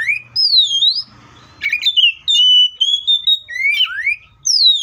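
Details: Oriental magpie-robin in a full, loud fighting song meant to make other magpie-robins sing, with nearly continuous swooping whistles that rise and fall, brief buzzy notes, and a high descending slur at the end.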